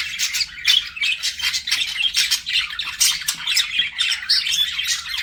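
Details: Budgies flirting in harsh squawky chatter mixed with thin chirps and short whistles, a continuous overlapping babble of several birds.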